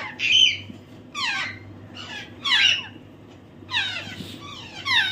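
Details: Young African grey parrot chick, hand-fed, producing repeated grating squawks that fall in pitch, some doubled, roughly every second, with a constant low hum in the background.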